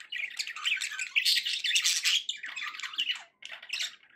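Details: Indoor budgerigars in a loud, dense stream of harsh chattering squawks and buzzy warbled notes, fading briefly near the end before a final squawky burst.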